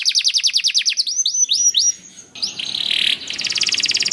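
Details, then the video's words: Canary gacor song, used as a lure to make other canaries sing: quick repeated downslurred notes, rising whistled phrases, then a harsh buzzy segment and a rapid pulsed trill. "Sekali Putar Kenari Lain Langsung Nyaut Bunyi Gacor || Voice of Canary"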